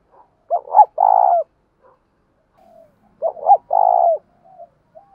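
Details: Spotted dove used as a decoy in the deep "thổ sấm" voice style: a short hooked double note followed by a long steady low coo, the phrase given twice.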